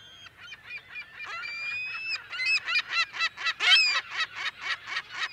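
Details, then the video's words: California gulls in colony, mono: a rapid series of short, harsh yelping notes, roughly two per second, grows louder and more insistent, over a faint background of other gulls calling. "California Gull / CU - MP Calls In Colony"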